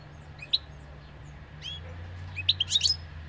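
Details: Song of the European goldfinch: scattered high chirps, then a short liquid twittering run of bright, tinkling notes, heard over a low background rumble.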